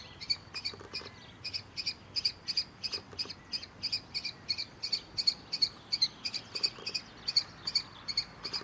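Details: Juvenile common kestrel, fledged from a nest box in an old farm barn and now on the ground, shouting for attention at dawn: a steady, insistent series of high, piercing notes, roughly three each second, continuing without pause.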